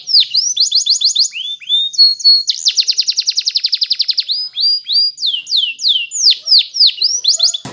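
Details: Spanish Timbrado canary singing in the morning as a training song: varied high phrases of swooping slurred whistles, a long fast metallic trill in the middle, then more rapid descending sweeps, loud and clear with a quiet background.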